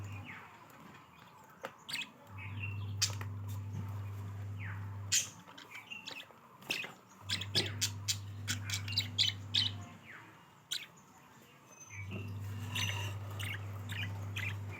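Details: Budgerigars eating coriander leaves chirp and chatter in quick, irregular bursts over a low electrical hum.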